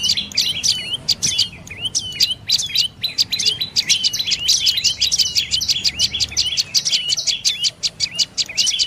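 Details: Dark-necked tailorbird giving a long, rapid series of sharp, high chirps, several per second, many ending in short downward flicks, continuing without pause across the recording; faint low background rumble.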